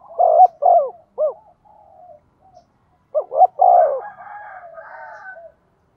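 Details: Spotted dove working as a decoy, 'giọng thổ' voice, cooing to draw wild doves. Two phrases of rising and falling coo notes, the second followed by a higher, harsher drawn-out sound.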